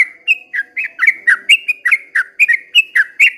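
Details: At dawn a yellow-vented bulbul sings in the 'ropel panjang' style: liquid, bubbling two-part notes, each dipping then rising, repeated about three times per second without a break.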